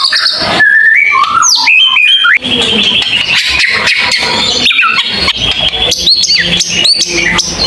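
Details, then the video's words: White-rumped shama in tembakan panjang style, long shots of song: rising whistled phrases and quick upward flicks, then a dense, continuous stream of mixed chattering and clear notes, loud throughout. "mure tembakan panjang"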